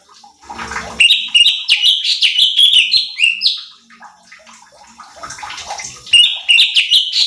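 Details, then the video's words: Cucak cungkok bulbul training song for competition birds. After a brief rustle, a fast series of bright falling whistles runs for about three seconds, followed by softer chirps and another whistled burst. "Pancingan Cucak Cungkok Malas Bunyi | Bikin Emosi Burung Lain"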